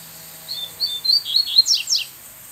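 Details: A wild female Double-collared Seedeater perched up at a bamboo edge in dense forest sings a whistled song from afar toward a captive male, a hawk nearby: a quick run of high sweet whistles ending in sharp descending slurs, over faint hiss.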